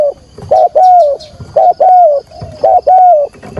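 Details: Spotted dove decoy calling to attract wild birds for trapping, delivering its full cooing phrase. Short hoot then a long descending coo, given three times in quick rhythm, loud and low-pitched.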